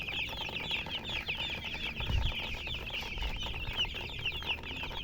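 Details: Many baby chicks chirping continuously, dense overlapping high peeping notes throughout, with some low thumps and handling noise in the background.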